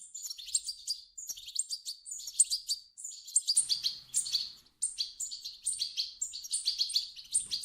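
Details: Begging calls of European goldfinch chicks, played to stimulate an adult to sing; continuous high, thin twittering chirps in overlapping runs, with a short pause near the middle and a faint low hum.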